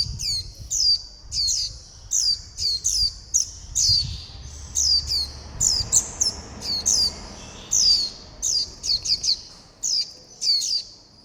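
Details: Fledgling white-eye calling its mother and flock for food, high sharp down-slurred notes repeated irregularly, singly and in quick pairs, over faint background noise.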